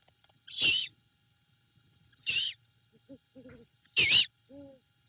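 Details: Female great horned owl at a Savannah nest, night of 21 February 2022, feeding her owlet a rat brought by the male. Three scratchy, hissing calls are interspersed with faint high squeaks.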